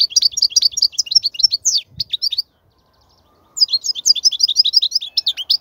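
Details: European goldfinch song for teaching young goldfinches: two bursts of rapid, high twittering notes, dense tinkling trills broken by a silent pause of about a second.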